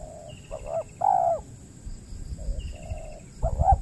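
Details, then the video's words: Wild spotted dove answering a decoy lure in peat land, Riau Islands, Indonesia, calling often but reluctant to fight. Scattered low mellow coos, some doubled with a quick lead-in note, are heard among handling noises and a faint high drawn-out whine. "PIKAT BURUNG TEKUKUR KETEMU BL PENGUKU TAPI KURANG AGRESIF"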